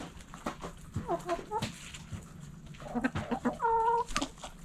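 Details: Backyard hens in a coop, several birds clucking in short irregular bursts, with a drawn-out tonal squawk near the end and scattered scratching and knocking noises.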